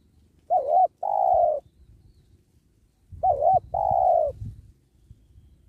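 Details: Spotted dove cooing while being trapped beside a sacred tree; two phrases of a wavering short note plus a longer falling coo, with low rumbling and rustling noise underneath, louder during the second phrase.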